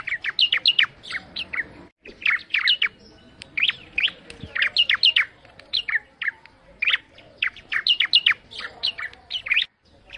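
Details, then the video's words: Bar-winged prinia song: repeated clusters of quick, sharp chirped notes, some falling in pitch, in phrases broken by short pauses, with a faint background hum. "Suara Burung Ciblek Mendayu Auto Gacor"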